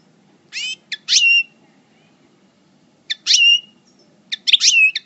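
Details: Moulting European goldfinch, subspecies parva, coupleur singer from El Bordj, giving three short bursts of harsh, twangy chirps with a bent upward note, separated by silent gaps of about two seconds.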